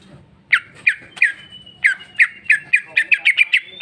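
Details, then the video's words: Greater green leafbird, cucak ijo, giving a quickening series of harsh, squawky chips that repeat faster toward the end over a thin whistle. "cucak ijo mewah ful jamtrok bongkar isian"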